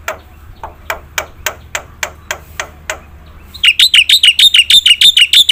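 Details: Black-winged myna singing full fill-in phrases, used as a lure for birds that sing little; a slow series of sharp ticks about every third of a second, then a rapid run of bright, high, looping chirps.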